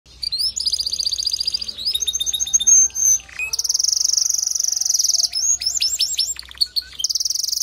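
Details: Male canary singing to prompt a female to build her nest quickly: rapid high trills and buzzy rolls, interspersed with sweeping whistled notes and chirps, shifting between tours every second or two.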